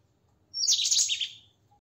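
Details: White-throated kingfisher uttering a single loud, harsh, screechy burst lasting about a second, rasping and slightly falling in pitch, then fading, against a quiet low hum.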